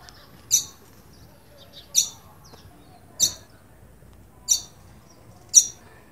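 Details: Alarmed green-winged saltator, found in scrub, woodland edges and clearings, repeats a short, piercing high call about every second and a quarter, five notes, against a still, quiet background.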